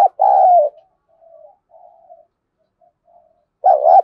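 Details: A spotted dove in 'giọng thổ' contest song, used to incite rivals: a long low falling coo opens, soft quiet cooing murmurs follow, then a loud doubled hoot returns after about three seconds.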